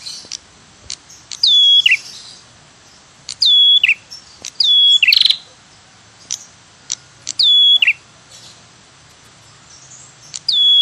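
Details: Red-headed prinia lure call ('tirr tiirr cemplik'): sharp high chirps that slur downward, each followed by dry ticking notes, repeating about every two seconds.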